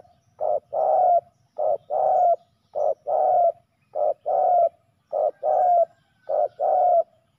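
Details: Spotted dove males, called out to a ground decoy and fighting fiercely, repeat a steady two-part coo, a brief note followed by a drawn-out falling one, six evenly spaced pairs, with a faint low rumble underneath.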